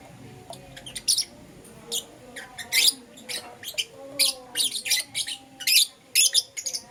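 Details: Pet Euwing green opaline and lutino lovebirds at morning time give sharp, shrill chirps, steady and irregular, some in rapid pairs, with faint lower tones in the background.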